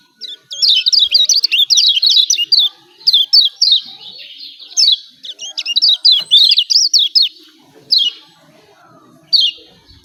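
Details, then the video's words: Kecial kuning of Lombok uttering excited 'ciak ciak' notes meant to trigger lazy birds: clusters of piercing, wavering high chirps, several bursts in a row with brief gaps, and a final isolated call. "CIAK CIAK JOSS KECIAL KUNING AMPUH||PANCINGAN KECIAL MALAS BUNYI||"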